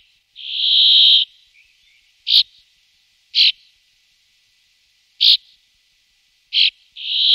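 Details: A Brambling, one of two pairs watched through an afternoon and evening, gives harsh, nasal, fairly high buzzing wheezes: one long drawn-out buzz, then several short rasping notes a second or two apart.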